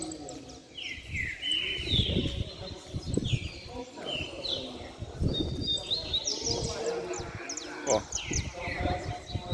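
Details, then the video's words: Caged canaries sing in an excited session, giving repeated descending whistled slurs and fast chattering trills, with rustling, knocks and occasional quiet voices. "Canário Na Baderna Top Canto e Fibra!!!"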